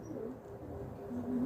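An African grey parrot talks in a low, murmuring, voice-like tone that rises and strengthens toward the end, with faint room noise behind.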